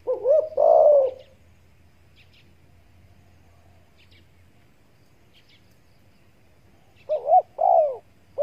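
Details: Spotted dove calls used as a hunting lure. Two short cooing phrases, wavering and rolling in mid pitch, open and close the recording with near silence between them. Faint low hum sits underneath.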